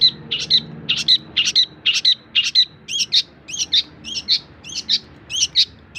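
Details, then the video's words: Long-tailed shrike song used as a tutor recording for other songbirds: bright chirped notes repeated about twice a second in a steady, slightly uneven series, with faint low hum beneath. "Cendet masteran full materi voll++"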